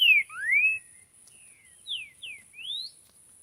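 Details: Green-winged saltator in nature, singing loud whistled notes that slide down and up in a varied phrase with short pauses, while a thin steady high whine carries on in the background.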